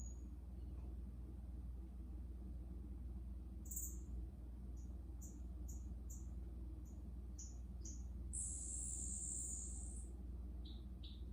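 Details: Green-backed twinspots, sub-Saharan African finches newly arrived in an aviary (4 pairs plus extra males), singing very high, thin, scattered notes and a longer hissing trill over a steady low hum.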